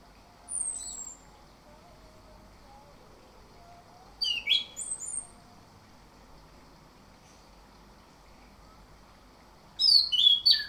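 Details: Orange-headed thrush morning lure song with three separate bursts of sharp, high, varied chirps and whistles a few seconds apart. Quiet pauses between them, with a low background hum.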